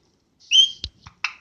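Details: Pet parrot calling just before sleeping: a short, bright whistled note, then a few soft clicks and a brief burst, in a quiet room.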